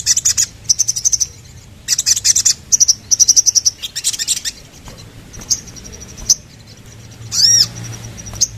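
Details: Sooty-headed bulbul singing in quick buzzy high trills, spaced with thin sustained whistled tones and a loud sweeping rising-falling note near the end, over a faint low hum.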